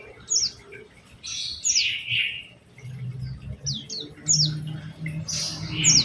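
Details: Oriental white-eye lure song in a special phrasing style: scattered high, sharp chirps and a few buzzy, falling slurs separated by short gaps, with a faint low hum underneath.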